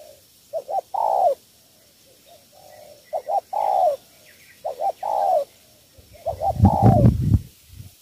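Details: Repeated cooing of a spotted dove from Cà Mau, Vietnam, three-note style: each phrase two quick short coos then a longer falling one, given about every two seconds, ending amid loud low thumping and handling noise.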